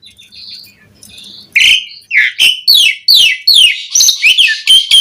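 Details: Asian pied starling song played as a lure to stir other starlings into singing: after soft, faint notes, loud harsh squawks and varied whistled phrases burst out in a quick, irregular run of rising and falling notes.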